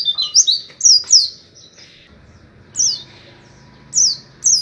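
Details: Oriental white-eye, 'ngalas Wit Wit' style tutor recording: a short cluster of high, sharp chirps, then isolated single slurred 'wit' notes spaced about a second apart over quiet background.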